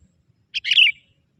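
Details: One young sooty-headed bulbul from the forest, luring wild bulbuls, utters a lone rich warbling chirp that slurs downward, clean and close with little background.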